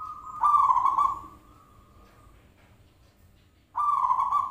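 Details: Zebra dove lure call meant to get a bird to answer. One vibrating, trilled coo trails into a long, soft level note, followed by a second loud trilled coo after about three seconds.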